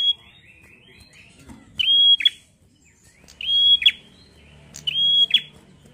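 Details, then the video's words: A bar-winged prinia in steady 'gacor ngalun' song repeats a piercing level whistle ending in a snapped click roughly every 1.5 seconds, after a softer run of lower chirps at the start. "Suara prenjak Gacor ngalun fighter mantul!"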